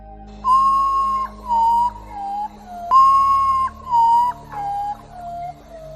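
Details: A potoo, a branch-camouflaged bird whose eerie cries are heard at night, gives mournful, flute-like whistles, each note a little lower than the last, in two falling series over a low musical drone.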